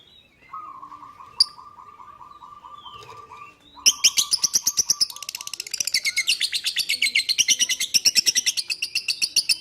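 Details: Lovebird calling, used to stir other birds into answering: a steady mid-pitched trill from another bird runs for several seconds, then a long, fast, evenly pulsed buzzy chatter repeated several times a second to the end.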